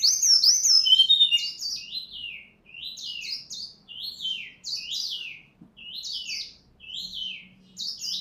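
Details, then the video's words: White-rumped shama from Bengkulu, Sumatra, singing in full voice: a rich, varied opening flourish, then a clear whistled phrase that falls and bends, repeated about twice a second with short pauses between bursts. "SRDC Asli Bengkulu Sumatera Gacor"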